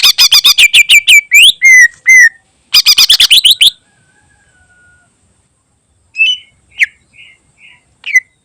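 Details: Training song of a greater green leafbird with a rich varied repertoire: dense, fast strings of loud, piercing down-slurred whistles, then a quiet gap and several softer, spaced chirps and short whistles.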